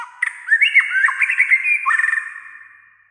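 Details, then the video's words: Singing white-rumped shama, fired up and vocal almost all day: a fast, lively warble of rapid slurred and whistled notes that fades toward the end. "chòe lửa sẻ hót cả ngày"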